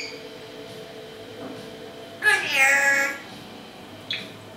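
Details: A female Timneh African grey parrot, which mimics talk to a dog, whistling, kissy noises, door creaks and squeaky toys despite not living with a dog for 6 years, gives a single half-second burst of speech-like harmonic mimicry, then a short click, in a quiet room.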